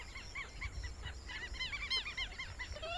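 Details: Purple gallinule (Porphyrio martinicus) in Brazil giving a quick run of nasal, clucking, hen-like notes, several overlapping at mid pitch, over a low background rumble.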